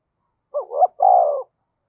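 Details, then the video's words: Single phrase from a decoy spotted dove meant to provoke wild birds: two quick rising notes, a brief pause, then a sustained, gently falling coo lasting about half a second. "Chim Cu Mồi-cu gay kich boi nhanh noi gù"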